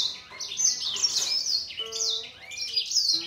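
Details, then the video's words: Grey singer finch in a singing duel with a green singer: the grey singer pours out a fast, high, unbroken twittering warble, the green singer sings over it, and a brief lower tone sounds midway. "Gery singer finch VS Green singer singing fight 灰燕和金青斗唱"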